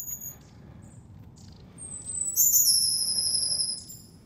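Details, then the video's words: Wild long-tailed tit in January at the Zvenigorod Biological Station, Moscow region, Russia, giving thin, very high-pitched notes: a few brief tsee sounds, then a louder, drawn-out piping call, over a faint low rumble. "Длиннохвостая синица. Long-tailed Tit."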